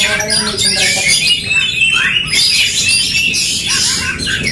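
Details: Two-way aggressive song contest of Oriental magpie-robins: bright whistled phrases and fast scratchy twitters crowd each other, with rising slurs recurring through the passage.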